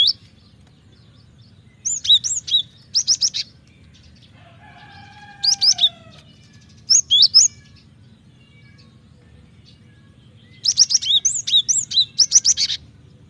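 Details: Lively Cinereous tit song for training and luring kept birds: repeated bursts of three to five sharp, high, slurred notes, and a lower, drawn-out buzzy tone in the middle, over a faint low hum.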